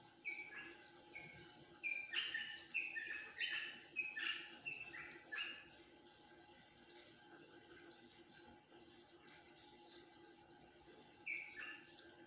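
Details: Rosella giving bursts of short, sharp chirping calls clustered in the first half, then a quiet stretch and one lone chirp near the end, over a steady low hum.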